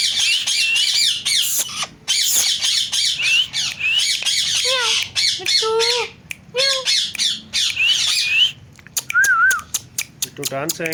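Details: Pet talking parrot indoors: sustained raspy squawking, then a series of short falling meow-like notes, a wavering whistle and rapid clicks.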